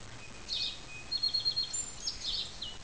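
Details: A male song sparrow, returning for four years to sing at a car mirror while admiring his reflection, on 18 February 2007, sings high, bright notes, then a quick trill of about six even notes and a final burst, over soft hiss.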